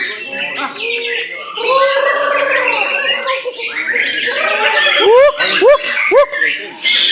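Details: White-rumped shama (murai batu) at a contest in Nagan Raya, Aceh: arched whistled phrases, then three sharp rising whistles about half a second apart near the end, over a chorus of other birds and human voices.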